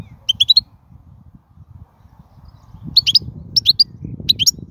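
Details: Wild European goldfinch singing, a recording meant for tutoring young birds: short clusters of bright, tinkling high notes in quick runs, a burst early on, then three rapid twittering phrases near the end over a low background rumble.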